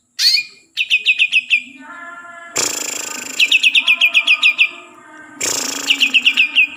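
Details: Green leafbird native to Kalimantan sings runs of eight or nine sharp, descending whistled notes, alternating with harsh, scratchy rasping phrases, over a faint low hum.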